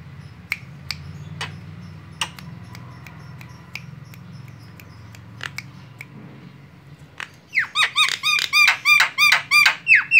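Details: Javan myna, white-eyed, calling as a lure to attract other birds: several seconds of faint clicks and low hum, then a fast burst of about ten harsh, repeated down-slurred squawks to the end.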